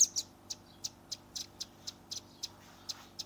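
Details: Young velvet-fronted nuthatch, a captive songbird, recorded on a Redmi 10 phone: short sharp high chips repeated roughly every third of a second, some doubled, over a faint low hum.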